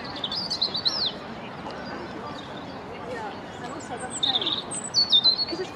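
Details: A European robin sings in a corkscrew hazel bush near the Albert Memorial, giving thin, high, wavering phrases in short bursts with pauses, over a soft steady hiss.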